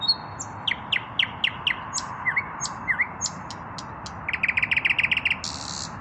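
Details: Evening song by a male common nightingale yet to find a mate: a high whistle, falling strokes repeated about every half second, two slurred notes, clicks, then a rapid rolling run of repeated notes and a buzzy finish.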